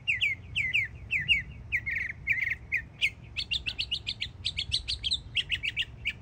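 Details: Florida mockingbird, a young bird, sings repeated phrases: paired downslurred whistles, then a quick run of high clipped notes and buzzy chips, each type repeated several times; low background hum.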